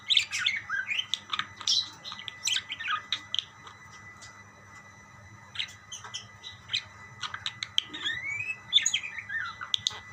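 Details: Budgerigars exchanging calls, with clusters of high chirps and scratchy notes at the start and end, a quieter stretch in between, and a soft low hum throughout.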